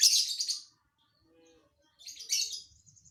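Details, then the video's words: Lovebird singing an odd, unpredictable fill: a loud, raspy, high screech, a brief soft tonal note, then a second harsh, shrill burst trailing into thin chatter. "Burung lb isian aneh"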